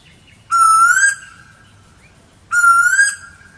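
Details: Asian koel (Eudynamis scolopacea), two strong upward-sliding whistled notes about two seconds apart, each loud and ringing with a smooth level tail, against a quiet background.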